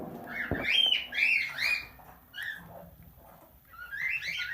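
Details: Tame plum-headed parakeet mimicking speech indoors: short rising and falling chattering syllables, slurred word-like phrases with squeaky overtones, a pause, then more chatter.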